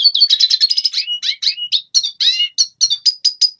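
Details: Red siskin song for teaching young birds: dense high chatter followed by buzzy notes and a string of short, sharp, evenly repeated tweets, about four per second.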